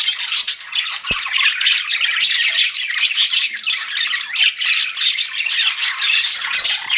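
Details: Many pet budgies chirp at once while flirting, a thick stream of rapid high tweets and warbles, broken only by a sharp knock just after the first second.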